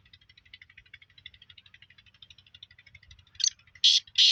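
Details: Black francolin recorded in Sindh, Pakistan, giving short, rasping, scratchy notes that grow louder toward the end, set over a steady, fast ticking pulse.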